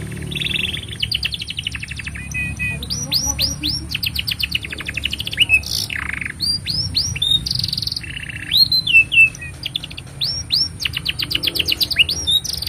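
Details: Extended canary song, played as master for young canaries and to stir silent ones into singing: varied tours of upslurred whistles, fast chip trills, brief buzzy rolls and falling sweeps follow one another in a steady stream.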